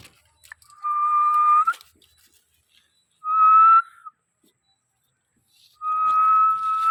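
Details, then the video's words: A parrot gives three long, steady whistled notes spaced a couple of seconds apart. Each note stays at a level pitch and has a thin overtone above it, in a quiet indoor setting. "Amazing parrot 🦜 Chirping sounds"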